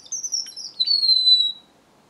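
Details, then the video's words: Strawberry finch singing: a high, thin whistled line with short chirps at the start, then a long steady whistle gently falling in pitch, on a quiet background. "BENGALI ROJO - STRAWBERRY FINCH SINGING"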